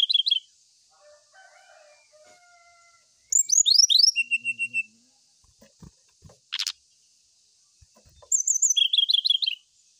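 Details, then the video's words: Brown-chested jungle flycatcher singing as if seeking a rival: three bursts of bright, fast whistled notes, sliding downward and then trilling, separated by quiet gaps with a few faint low knocks and a soft hum. "Suara sikatan rimba dada coklat cari lawan"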